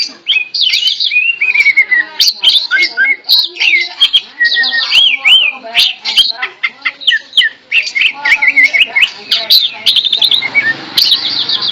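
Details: Tame greater green leafbird sings steadily while held in a hand, a long varied flow of sweet whistles, descending slurs, chirps and squeaky notes, with a hint of low background noise.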